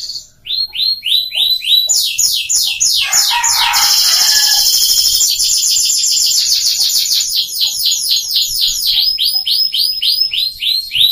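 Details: Captive F1 Scotch Fancy canary brought from Jogja to Bengkulu to serve as a song tutor for young birds. It sings rising slurred notes about three a second, then a fast buzzy trill over low rattling notes, then more repeated downslurred syllables.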